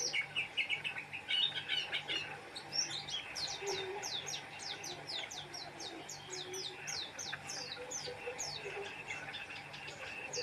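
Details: Oriental white-eye singing energetically: a quick opening warble, then a long run of sharp, high downslurred chips repeated rapidly, thinning out toward the end over a faint background hum.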